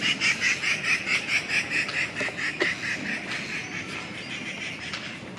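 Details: Treepie recorded in the wild giving a rapid series of loud, harsh, nasal chattering notes, roughly two per second, fading toward the end against a noisy rustling background.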